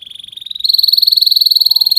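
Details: Young canary training song: a rapid rolling trill that steps up slightly in pitch and grows louder halfway through, held evenly to the end.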